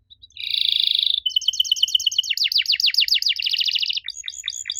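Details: Canary song played to prompt young canaries to respond: a buzzy high trill, then a steady two-tone rattle, a run of fast downward-sweeping notes and a final burst of sharp chips.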